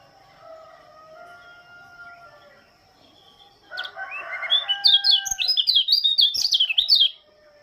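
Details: White-eye from Lombok singing in the morning: after a quiet start with faint drawn-out tones behind, a fast run of high, sharp, warbled chirps rises and falls for about three seconds.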